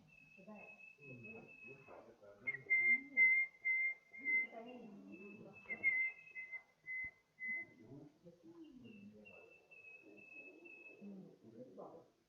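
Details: Western yellow robin, at the eastern limit of its range on South Australia's Eyre Peninsula: clear, level piping whistles in short runs, about two a second, with people talking quietly underneath.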